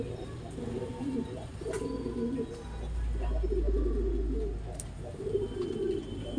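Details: Pigeon during mating giving deep, rolling coos in a steady series, paired muffled phrases, while a low droning hum swells in the middle of the recording.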